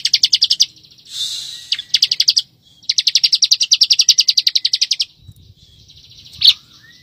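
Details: Bar-winged prinia master song for training white-rumped shamas, fast 'ngebren' style: rapid high chirp runs broken by a brief hissing burst, then a long steady stretch of quick, evenly spaced shrill notes ending in soft buzzing.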